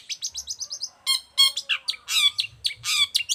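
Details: An actively singing long-tailed shrike, kept as a tutor and lure for other shrikes, opens with a quick series of high, evenly spaced chips, then gives harsher, buzzy, rasping phrases mixed with whistled notes.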